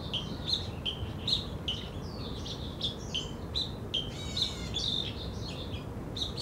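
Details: Black bulbul (Hypsipetes leucocephalus) filmed 3 July 2013 at Zhiben Forest Recreation Area, Taitung, Taiwan, calling: a busy run of short, nasal, mid-high chirps, about two each second, some overlapping, over a steady low rumble.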